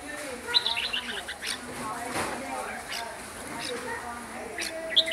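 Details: Hue-type red-whiskered bulbul singing at length, giving bright, quick whistled phrases, loudest at the start and end, over steady background chatter and faint voices.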